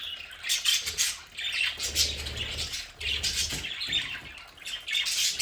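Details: Several home-kept budgerigars in an indoor play area chatter in overlapping raspy chirps and warbles, swelling and fading in short waves, with a soft low hum beneath.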